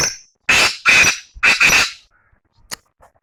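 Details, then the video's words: Black francolin from Chakwal: loud, harsh, grating bursts, each about a quarter second long, in two close pairs within about one and a half seconds. A quiet stretch follows with one sharp click and faint ticks. "کالے تیتر کی آواز"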